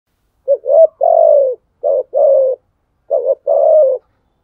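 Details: Spotted dove giving challenge coos to rivals: three phrases, each a short clipped note followed by a longer, low, slightly falling coo, spaced about a second apart. The recording is clean, with no other sounds.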